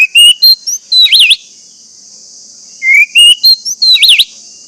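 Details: Orange-headed thrush singing in a recording meant to prompt caged thrushes to sing: two similar phrases of rising whistles ending in a looping, warbled flourish, with a continuous high-pitched hiss behind.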